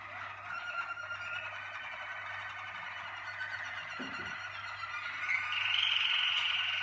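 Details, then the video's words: Malinois Waterslager canary from a 2019 breeding team sings steadily, with rolling, bubbling trills and sustained tours held at mid to high pitch, over a low electrical hum. "Malinois Waterslager"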